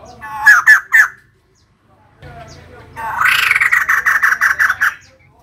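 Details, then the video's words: Female white-crested laughingthrush singing: three loud, ringing, harmonic notes, then after a short pause a rapid chattering run of pulsed notes lasting about two seconds, with a faint low hum underneath. "Poksay jambul putih betina gacor"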